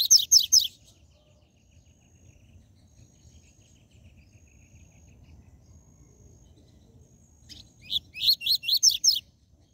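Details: Seedeater song of the 'tui tui zel zel' style, played to fire up captive birds: a fast series of high, bright, descending slurred notes opens the recording, a quiet pause follows, then another rapid run of about seven notes.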